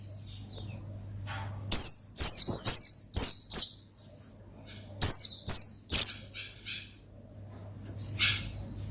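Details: Oriental white-eye 'ngalas' song used to call and provoke a rival: quick clusters of sharp, high, falling whistles, a gap, then more bursts, ending with softer twittering and a low background hum.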